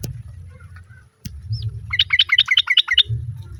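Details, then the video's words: A sooty-headed bulbul female calls for the male, with other birds answering. After a click, a run of about eight crisp chirping notes follows in quick succession over a low droning hum. "SUARA TRUCUK BETINA MEMANGGIL JANTAN, BURUNG LAIN JUGA IKUT NYAUT"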